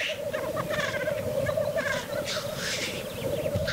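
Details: Black grouse (Lyrurus tetrix), lekking display: males displaying at the lek.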